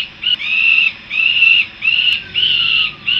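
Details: Peregrine falcon young coming back to their nest in Harrisburg, USA, giving drawn-out, nasal wailing calls in quick succession, the later ones rising slightly, with a brief click between them.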